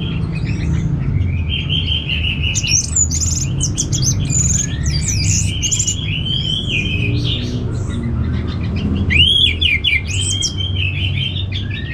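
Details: Continuous rich song of a kept orange-headed thrush from northern Bali: mixed whistles, trills and buzzy chirps in quick succession, several clear arched whistled phrases, with low background rumble throughout.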